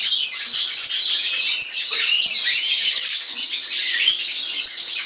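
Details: Dense, shrill, buzzy twittering from a European serin, delivered as one uninterrupted rapid jingle.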